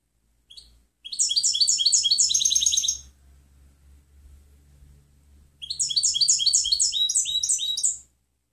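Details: European goldfinch singing clean-style song for tutoring other birds: two bursts of bright, high tinkling twitters with buzzy trilled notes, each about two seconds, separated by a quiet pause with faint low hum.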